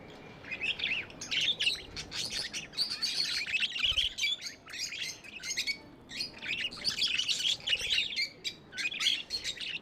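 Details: A group of pet budgies keeps up busy, high-pitched warbling and clicking chirps, bursts repeating every second or so with short quiet gaps.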